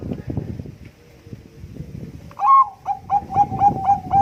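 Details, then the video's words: Bangkok-type zebra dove singing at competition quality, used as a lure: after a stretch of low murmuring background noise, a string of clear, evenly pitched coos begins, rapidly repeated and slightly rising at the start. "perkutut bangkok gacor suara istimewa keteria lomba untuk pancingan"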